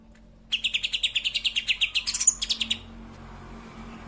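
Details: Greater green leafbird delivering a 'tembakan' burst: a quick run of about twenty loud, sharp, evenly spaced chirps, rising briefly to a higher shrill flourish before ending abruptly, then near silence.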